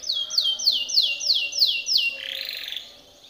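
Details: Timbrado canary song for training: repeated loud downslurred whistles, about three per second, closing with a harsher buzzy rattle that fades away.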